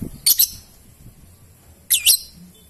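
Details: Lovebird, a singer of ngetik and long ngekek, gives two quick shrill double chirps, high and harsh, about one and a half seconds apart against a soft low hum.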